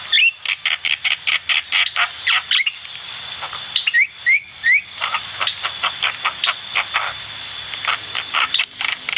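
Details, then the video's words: Javan myna in full song, used as a training master: fast bursts of harsh, chattering notes with some sharp rising whistles in the middle, over a steady high ringing hum. "burung jalak kebo gacor"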